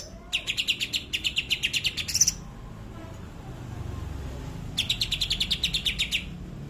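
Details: Greater green leafbird, tembakan kapas tembak song: a fast stream of high, metallic chips ending in a sharp accent, a pause with low background noise, then another rapid run.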